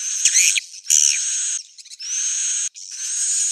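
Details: Edible-nest swiftlet roosting lure call, played to attract swiftlets to roost: long, dense, buzzy chittering bursts high in pitch with brief gaps between them.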